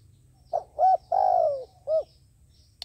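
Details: A trapping decoy dove gives its cooing phrase of a brief note, a clear hoot, one long falling coo and a closing short hoot. Faint low hum underneath, with a sharp click at the end.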